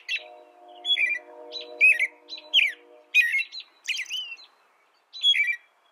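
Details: Caroling song of an American robin: a run of clear, slurred phrases, mostly falling in pitch, delivered roughly every second, over a low steady drone that fades out partway through.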